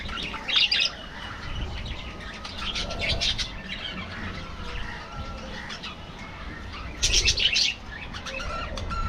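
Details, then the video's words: Budgies in an aviary colony, with soft background twittering broken by two loud, harsh squawking bursts, one early and one late. "parrots,parrot,talking | budgies bird"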